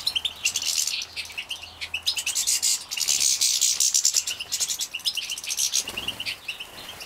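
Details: Young captive-bred European goldfinches at feeding time in Poland, 2017, give a steady stream of high twittering chirps broken by longer buzzy, hissing bursts of excited chatter.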